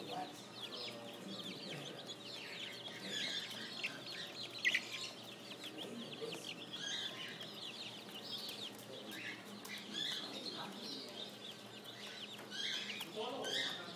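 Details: Flock of spring chicks on an urban farm giving rapid, overlapping thin peeps, steady and busy throughout, with a few louder chirps standing out against a low background hum.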